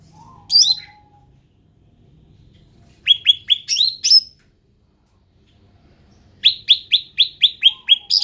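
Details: Song of the ruby-throated bulbul, an endemic bird: a faint lower whistle, then high sharp chirps in a fast repeated series, with a second rapid string of slurred notes near the end.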